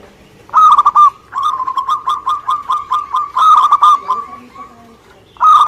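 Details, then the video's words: Local Indonesian zebra dove in lively song: a loud rolling coo, then a longer run of softer stuttering pulsed notes, and another loud phrase at the end. "Suara Gacor perkutut lokal"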